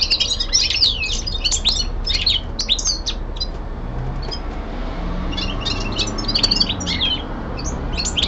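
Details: Common linnet singing at home in bursts of quick twittering notes and sharp chirps, broken by a brief pause near the middle before the lively phrases resume.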